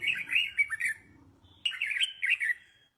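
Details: Red-whiskered bulbul song for training young birds to sing along: two quick bursts of cheerful, rapid chirping about a second apart, with a quiet gap between them.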